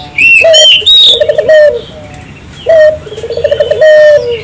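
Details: Spotted dove singing, used to stimulate local doves to join in. Low coo phrases of a clipped first note, a quick stammering series and a falling drawn-out note. Higher chirps from another bird sound above.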